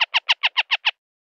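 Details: Northern harrier (Circus cyaneus) giving a rapid, harsh chatter of seven raspy notes, about seven per second, then silence.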